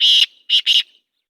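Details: Black francolin giving a short harsh phrase: one long rasping note, a brief pause, then two quick grating notes close together, with nothing else audible.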